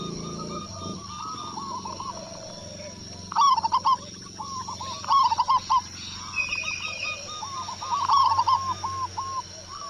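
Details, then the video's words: Zebra dove (local perkutut) from Indonesia, loud-voiced, responding after one lure. Three loud bursts of quick staccato coos, near 3.5, 5 and 8 seconds, over continuous softer coo chains from other doves. "Perkutut Lokal Gacor Suara Besar | Cukup Hanya Sekali Pancing Kutut Langsung Nyaut"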